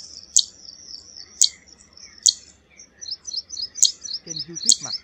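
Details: Zitting cisticola calling with five sharp, high ticks roughly a second apart over a thin high twitter, and a brief lower sound near the end.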